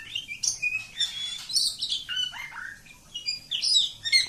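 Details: Oriental magpie-robin in long 'ngacor' singing: a soft continuous run of warbled whistles and slurred notes with a slight background hiss.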